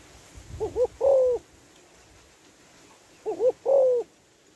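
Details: Female spotted dove giving a stimulating call to males: a paired quavering lead-in and then a long, steady coo, repeated once after about two and a half seconds, with a low rumble underneath.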